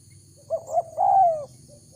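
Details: Spotted dove lure call used to draw in wild doves: two short low coos followed by a longer slurred, falling coo, one clear phrase over a quiet low hum.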